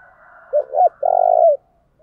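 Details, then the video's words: Spotted dove decoy bird giving its urging coo, meant to make wild doves answer: two short hollow notes followed by a longer, steady, purring coo, low and mellow, in a quiet setting. "Tiếng chim cu gáy thúc bảo đảm bổi nghe gáy liền"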